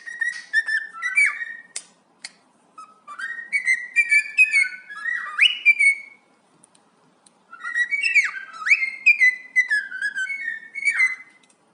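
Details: A happy pet cockatiel named Keepie whistles a lively song of sliding and rising notes, broken by brief pauses.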